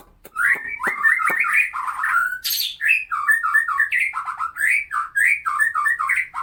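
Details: White-rumped shama of the Medan type giving its harsh, rough song bursts, used as a tutor for training other birds: a dense, unbroken run of varied whistled and chattering notes, rising and falling, with a loud burst midway.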